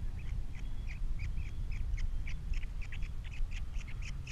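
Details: Osprey at the Captiva nest with three chicks after the female leaves, 21 February 2022: quick, rather faint run of short high chirps, uneven in rhythm, partly masked by loud low wind or hum.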